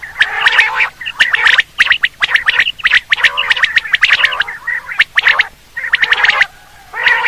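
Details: Quail calling for hunting with loud, raspy, stuttering bursts packed closely together. A short, quieter gap near the end is followed by another harsh burst.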